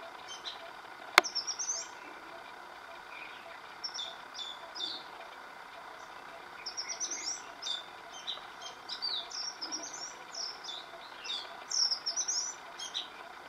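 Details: Oriental magpie-robin song, recorded across several days with a different tune daily; scattered groups of bright, high whistles and twittering notes with pauses between phrases, one sharp click early on, and a constant hum of distant noise underneath.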